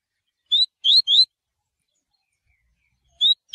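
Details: Double-collared seedeater (coleiro) singing the tui tui style, used for training birds: clear, high whistled notes that slur upward, three in quick succession, then a long pause before two more.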